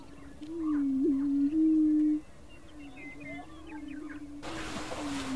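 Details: Greater prairie chicken in Colorado, USA gives a low, hollow, hooting moan lasting nearly two seconds; faint chatter of other birds and a burst of wind noise follow.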